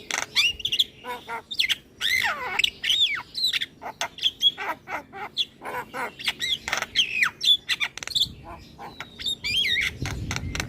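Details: Javan myna in full song, bobbing its head, played to get silent mynas singing: a long busy stream of chattering squawks, bent whistles and scratchy notes, dense and unbroken, with some low noise near the end.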